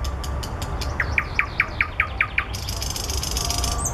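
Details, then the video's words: Common nightingale singing among flowers: about eight loud, evenly spaced whistled notes rising in pitch, then a dense, harsh, buzzy rattle that carries to the end, over a low rumble. "Соловей поёт"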